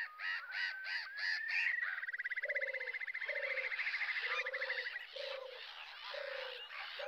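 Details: European turtle dove at RSPB Frampton Marsh, recorded from the car park on 26 July 2020: soft, low purring phrases about once a second beneath a loud buzzy rattle and harsh chatter from other birds.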